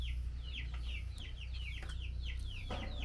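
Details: Female Chinese hwamei, fed mealworms, calls the male with quick repeated down-slurred chip notes, about three per second, with occasional clicks and a constant low background hum.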